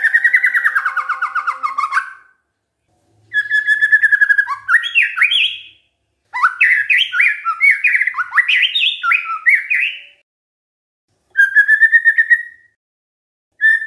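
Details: White-rumped shama song played as a lure so other shamas reply, in bursts separated by silences: a rapid buzzy trill, then fast jumping whistled notes climbing and falling, ending with another quick trill.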